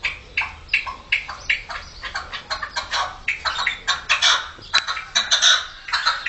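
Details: Young red-legged partridges calling in 2014: dense, rapid series of harsh, scratchy chirps and chattering notes, closely overlapping, several birds at once, steady throughout with a louder burst near the end.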